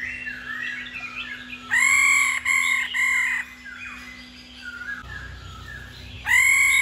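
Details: A female laughingthrush voices the ro call meant to excite singing males: a rich, buzzy three-note burst, a quieter stretch of varied background warbling, then another loud nasal note at the end.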